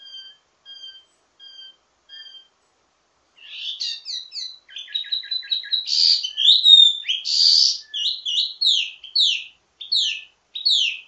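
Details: Teasing ledekan song of a wambi mini, varied and used as a model for training birds of its kind: a few faint thin whistles, then an energetic stream of sharp chirps and slurred notes.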